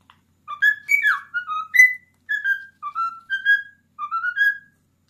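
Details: Pet cockatiel, a 10-year-old male kept indoors, whistling the Addams Family theme: a run of clear, rising and falling whistled notes around the tune's melody, phrases separated by short pauses, in a quiet small room.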